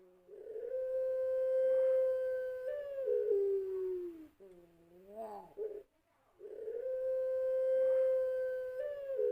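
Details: Long cooing of a puter pelung dove from a national champion line, used as a lure song: a level humming note held almost three seconds, sliding lower, a brief warbled bend, a pause, then another sustained hum.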